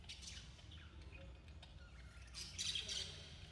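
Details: Budgerigars chatter in quick, scratchy chirps and squawks, with a brighter burst of warbling near the end, mixed with gentle rain and soft piano.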